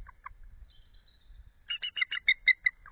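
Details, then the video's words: Female eagle off her egg at midnight in February, cooling it, calling and trilling to her mate, who calls back: two short notes, a pause, then a rapid run of about eight high chattering notes. "Belle is Cooling the Egg; Calls, Thrills too"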